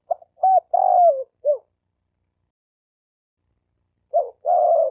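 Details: A male spotted dove calls to lure females with a run of short coos, then a long, wavering, descending coo. After a pause, another phrase begins. No other sounds.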